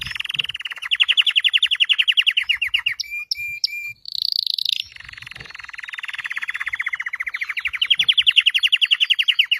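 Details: Red Belgian canary in song, with long rapid rolling trills of repeated notes, a short break of clipped whistles and a high buzzy phrase, then another rising, rattling roll.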